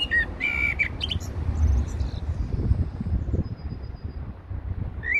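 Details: A Eurasian blackbird sings at Heidelberg Castle: a few short, fluty whistled phrases with thin high twitters, then a brief closing phrase, over a steady low rumble of wind or traffic.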